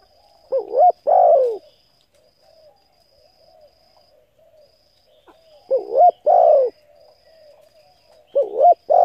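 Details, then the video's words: Spotted dove cooing, used to stimulate decoy birds and train newly caught ones: three phrases, each a short wavering note then a longer falling coo, spaced about four seconds apart, soft murmured notes between, faint steady high hum behind. "Tiếng cu gáy hấp dẫn đủ bài thúc gù gáy gọi kích mồi tập bổi nhanh nổi hiệu quả"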